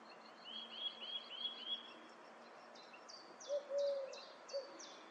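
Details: Song thrush outside a window repeats a short, clear whistled phrase four times in quick succession, then higher scratchy notes, with a lower hooting call and soft background hiss.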